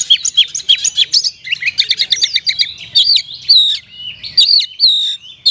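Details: Oriental magpie-robin, a caged kacer in full gacor song with luxurious isian, meant to spur lazy birds into singing: rapid stuttering chip series giving way to clear, looping downslurred whistles repeated about once a second.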